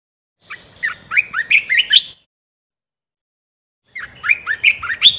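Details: Decoy training song of a bulbul: two bursts of rapid, rising whistled chirps, each lasting under two seconds and ending on a sharp high note, with silence between and a faint steady high hiss.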